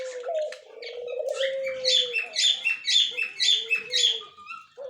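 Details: White male and yellow-green female budgerigar, October 30, 2024: a low wavering whistle runs beneath a series of bright clicky chirps repeated about twice a second.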